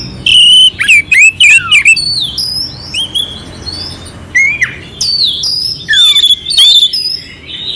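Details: Clear, rough-edged oriental magpie-robin song for raising another bird's excitement: high thin whistles, descending slurs and scratchy chattering, phrases separated by short silences.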